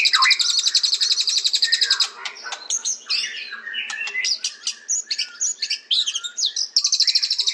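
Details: White-rumped shama singing a dense, varied song: a rapid high buzzy trill for two seconds, then scattered sharp chirps and short whistled notes, ending in another fast high trill.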